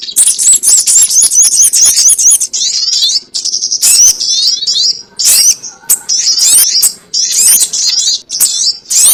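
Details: Sogon trapping-lure recording: fast, shrill chirping series and thin squeaky trills in quick bursts, separated by brief silences, with frequent pitch sweeps and a faint low background hum.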